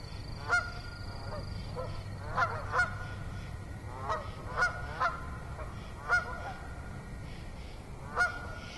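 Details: Honking geese, heard on an autumn evening on 6 October 2014 at Assabet River National Wildlife Refuge: scattered loud and faint nasal honks over nearly nine seconds, with a brief high steady tone and low hum early on.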